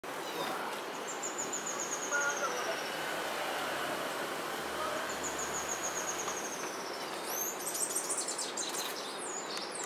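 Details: A White-whiskered Hermit at El Descanso, Valle del Cauca, Colombia, on 10 July 2019 gives two thin, very high, slightly descending trilled series, then sharp high chips, over a steady hiss of forest background noise.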